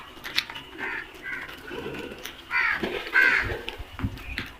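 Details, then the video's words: Flock of crows gives several hoarse caws, spaced unevenly, with a louder pair toward the end over low background rumble. "Flock of crows beautiful sound effect | Crows sounds"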